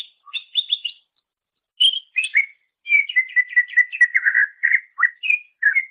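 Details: Greater green leafbird (cucak ijo) singing for songbird mastering: four quick repeated chirps, a gap, then a long rolling series of rapid, slightly descending whistled notes and sliding calls.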